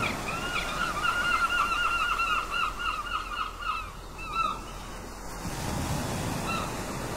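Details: Gulls at a port: a long run of rapid, evenly repeated yelping notes, about four per second, with a faint higher second voice, fading out after four seconds into steady low surf and wind rumble.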